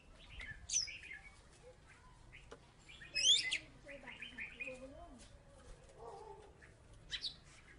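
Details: Salatiga-type Oriental magpie-robin, a former third-place contest bird, singing energetically: sharp high whistles and rapid chirpy phrases, separated by quieter, lower warbled notes.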